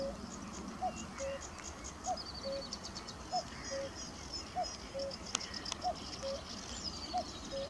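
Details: A common cuckoo at RSPB Middleton Lakes on 20 May 2022 gives its falling two-note 'cuck-oo' six times, about once every 1.2 seconds, over high twittering from other small birds.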